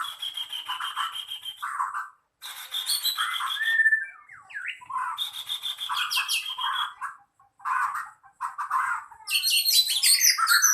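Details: White-rumped shama song at a singing contest: loud bursts of varied whistled and chattering phrases, each lasting one to two seconds, with short pauses between them and a final busy, scratchy burst.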